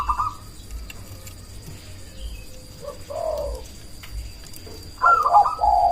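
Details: Zebra dove of the black cemani type, used as a loud lure call to get other doves answering and boost breeding drive; scattered quiet pauses broken by short rolling coos, ending in a louder quavering phrase.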